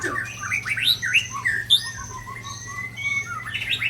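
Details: Shama singing a dense medley of borrowed phrases: upward-flicking whistles, chattering squeaks and a long wavering warble, notes changing constantly, over a steady low hum.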